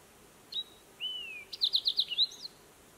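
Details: Fox sparrow singing at Echo Lake, California, on 10 July 2018: a thin opening whistle, a slurred downward whistle, then a quick run of about six bright notes ending in a rising flourish.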